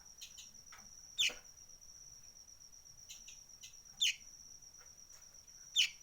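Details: Sunbird calling with three sharp, high chips that sweep downward, a few seconds apart, over faint softer ticks and a continuous shrill insect whine.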